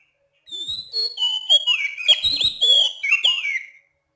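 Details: Oriental magpie-robin (kacer) calling at night: a loud, clear, rhythmic run of varied whistles, slurred rising and falling notes with sharp chips, for about three seconds against a quiet background.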